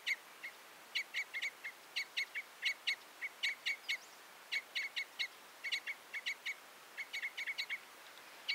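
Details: Common crossbill, a finch with crossed bill tips, delivering a near-continuous run of sharp metallic 'kip' notes in quick clusters of two to four, clear over a quiet background.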